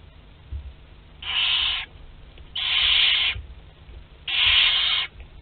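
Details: Barn owl chicks, aged 2 to 12 days, at a group feed in their nest at Théding, France, 29 April 2021, giving three long, strong hissing screeches of under a second each, spaced about a second apart.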